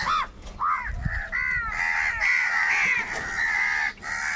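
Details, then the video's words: Crows fighting for food call loudly: a few short arched caws, then a long drawn-out harsh nasal cry that wavers and holds for nearly two seconds before a final short caw. "Crow fight scene - Crow bird Fight for Food | very loud voice of crow sound"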